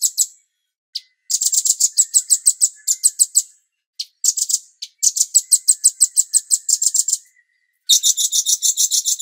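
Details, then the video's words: Bulbul song for training songbirds: bursts of rapid high chirps separated by brief pauses, closing with a dense, harsher trill. "MASTER CUCAK CUNGKOK Jeda Terapi Air"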